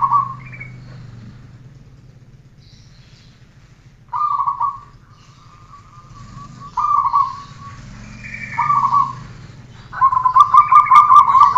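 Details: Training recording of a zebra dove singing: several short coos, one drawn-out soft note, then a fast stuttering run of rapid pulses at the end, over a low steady hum.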